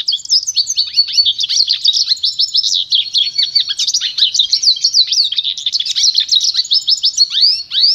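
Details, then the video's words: Pintagol, a goldfinch × canary hybrid, in pure song used for training other birds: a continuous rapid twittering of high chirps, trills and downward-swept notes with no pauses. "canto puro do pintagol"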